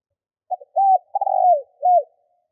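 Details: Spotted dove used as a lure bird, giving a low cooing phrase: a short stutter, two soft coos, a longer rolling coo and a final coo, against silence.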